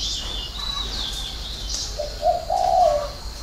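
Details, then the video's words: Spotted dove giving the six-note cooing style with a three-note ending: low, soft hooting coos run together in the second half, after high thin chirping from other birds earlier on. "chim cu gáy 6 tiếng ( hậu 3)"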